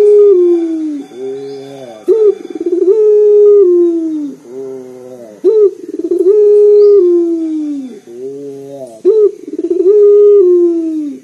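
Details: Local Indonesian dove (puter) with a big, bass-rich voice, used as a lure to set other birds calling. Low, mellow coos in a regular repeating phrase: a short clipped note, then a long level note sliding down, about every two seconds.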